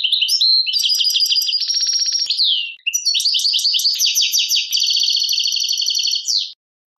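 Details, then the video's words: European goldfinch from Algeria, song style called Tadmait, delivers a long, almost unbroken run of bright liquid twitters, fast rattling trills and drawn-out buzzy notes. One short pause comes near the middle, against a silent background. "chardonneret chant tadmait"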